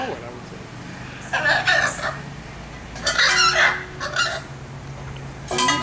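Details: Blue macaw, a talking bird that says 'pretty girl' and 'bye', letting out harsh, raspy, broadband squawks in three separate bursts over a low steady hum.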